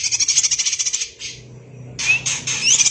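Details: A greater green leafbird sings densely in a style likened to the magpie robin. Fast pulsing chatter gives way to a quiet gap, then resumes with loud bursts and thin upward-sliding whistles.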